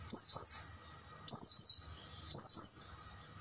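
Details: Oriental white-eye in a night master recording used to train caged birds: three high, bright, descending twittered phrases, each sliding down in pitch, repeated roughly once a second with short silences between.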